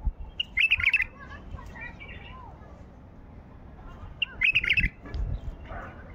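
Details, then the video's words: A wild white-eared bulbul, heard during hand trapping outdoors, gives two loud, rich, bubbling song phrases a few seconds apart. Softer whistled notes fill the gap, over low rumbling background noise. "اجمل تغريد بلبل بغدادي على الطبيعة"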